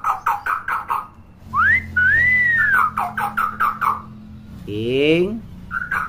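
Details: Chatty common hill myna, a tutor for young birds: rapid bursts of short repeated clucking notes surround a clear rising-falling whistle, then a fast rattling buzzy trill and more clucks; a man speaks nearby.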